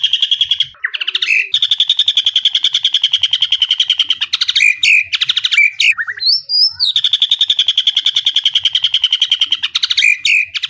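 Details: White-rumped shama singing a full fill-in (isian) song of imitated sounds, used as training material for other caged shamas: a rapid, buzzy, steady trill of even pulses held for several seconds, briefly broken by short chirps and a rising whistle.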